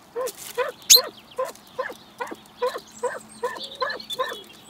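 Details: Wild pheasants courting and mating at a garden bird feeder in Recke, Germany, 24 March 2021, in the mating season. Around eleven clipped, husky clucks repeat steadily every third of a second, with faint high twittering from small birds.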